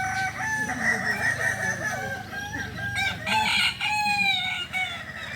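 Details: Kokok balenggek cocks at a group practice in Solok; drawn-out crows with many stepped notes overlap continuously, over a constant low droning background.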